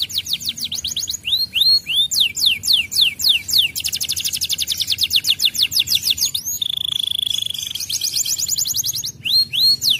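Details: Canary master song meant to trigger other canaries into singing: rapid rolling trills of high downslurred notes that shift in speed, a fast buzzy stretch, then a steady high held tone, and more trills.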